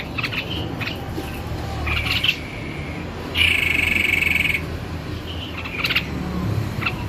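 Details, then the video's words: Active singing by a White-necked babbler: faint buzzy notes, then a loud harsh rattle lasting just over a second, followed by brief chattering bursts, with steady low background noise throughout. "SUARA TEPUS LEHER PUTIH GACOR"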